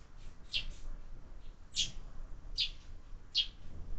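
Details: Four clear, sharp chirps about a second apart from sparrows visiting a feeder fixed to a window, with more and more fledglings arriving; a quiet low rumble lies underneath.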